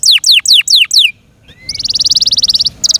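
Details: Yorkshire canary, a caged pet bird, gives five descending whistled notes, a short pause, then a quick pulsing trill that stops and restarts.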